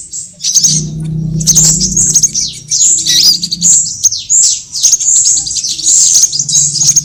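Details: Sunbird lure recording made for trapping, mixing all kinds of sunbirds: dense, very high, thin chirps and quick sliding notes in rapid bursts, with a brief fast ticking trill near the start and a faint low hum beneath.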